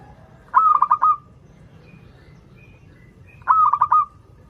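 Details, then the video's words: Local zebra dove in full song, used as a lure for doves learning to sing: two short phrases of rapid stuttering, clicky coo notes about three seconds apart, over a low background rumble. "PERKUTUT LOKAL GACOR Suara Merdu || pancingan paling disuka perkutut yg belajar manggung"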